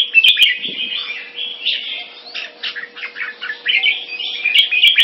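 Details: Singapore-kept red-whiskered bulbul from a champion crossbreed line sings bright rolling warbles, then a stretch of short separated chirps, before a loud rapid flourish at the end; clicks and light hum accompany.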